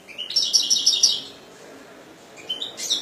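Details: European goldfinch giving a short, fast twittering trill of high, tinkling notes, then a quiet pause and a few more brief chirps near the end.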